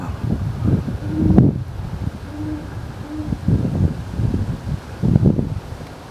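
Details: Great horned owls, a female flying to a male to duet and mate, on 25 December 2012, trade deep, soft hoots a second or so apart, over low rustling and thumping handling noise.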